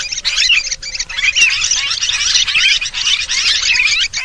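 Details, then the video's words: Lure call of noisy sooty-headed bulbuls meant to bring all birds together: a short, continuous mass of twittering and slurred notes from many birds, with a faint steady low tone underneath. "Suara pikat kutilang ribut semua jenis burung pada ngumpul"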